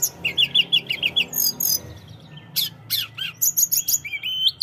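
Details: Busy song of a Sunda robin opening with a fast run of repeated chirps, then scattered high whistles and sharp tweets.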